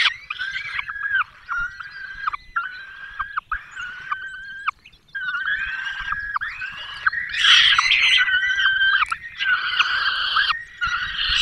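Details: Peregrine falcons nesting in the Barycz Valley, Poland, 5 May 2022; the male brings a small bird and the female feeds the chicks. Repeated harsh wails with falling ends build into louder, rougher screeching near the end.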